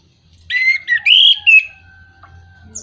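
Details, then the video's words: Orange-headed thrush song used as a lure to stimulate moulting, silent or low-breeding-condition birds: a short burst of varied, slurred whistles and rich warbled notes lasting about one second, then a faint trailing tone. "Pancingan Burung Anis Merah Mabung, Macet, dan Kurang Birahi"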